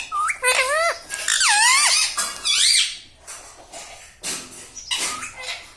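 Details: Talking ringneck parrot kept as a pet, saying learned words like mummy and papa; zigzagging squeaky syllables in rapid succession for three seconds, then a quieter, breathy tail.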